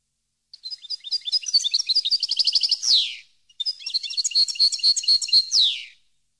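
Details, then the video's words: Two long phrases from a European goldfinch, used for teaching captive birds: fast high chirps rise into a rattling trill. Each phrase finishes with a descending buzzy sweep. "CD Canto Para Educar Jilguero"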